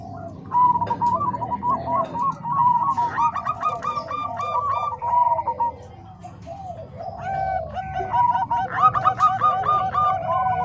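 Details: Zebra doves of Bangkok and Cemani Kolbuntet types, voices combined as training material for other doves: several overlapping, rounded cooing notes in quick bubbling runs. Louder bursts come at the start and near the end, with a faint low hum beneath.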